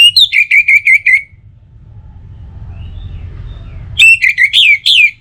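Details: Orange-headed thrush singing, a lure meant to encourage other birds to sing morning and evening: a quick string of about seven whistled notes, a hushed gap, then another run of rising and falling slurred whistles.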